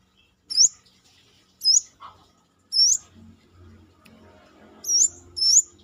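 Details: Outside-the-cage brown-throated sunbird in Indonesia, recorded as master song: five high, thin upslurred whistles in an uneven series, some in quick pairs, over faint low background noise.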